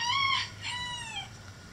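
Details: End of a backyard rooster's crow in a chicken coop: a bright first note, then a long, slowly falling drawn-out syllable that fades, with a low background hum.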